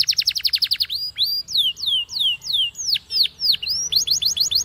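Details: Spanish timbrado canary training song starting with a fast even trill, then repeated drooping whistled notes about two per second, closing with quick bright rising notes.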